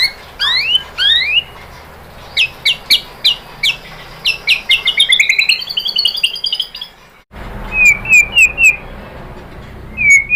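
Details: [3, 'Provoking lure of white-rumped shama singing; rising slurred whistles, then spaced sharp notes and an accelerating ascending trill, a short gap, then quick paired whistled notes over steady background noise.']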